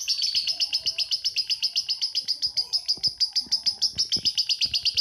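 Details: A lovebird pours out an unbroken ngekek trill, a long run of sharp, evenly spaced high chirps about five per second, steady in loudness throughout, with faint low background noises.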